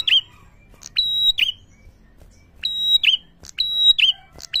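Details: Prinia calling to anger other prinias: loud piping phrases of a short high note, an even whistle and a slurred buzzy drop, about four phrases with a quiet pause in the middle.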